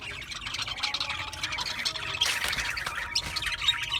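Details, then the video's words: Several budgerigars chirping, dense overlapping high chatter with scratchy squawks and warbles, loudest burst of harsh notes near the middle, continuous throughout. "Cute Budgies chirping Sounds | Budgies relaxing Sounds | Budgies parrots Sounds"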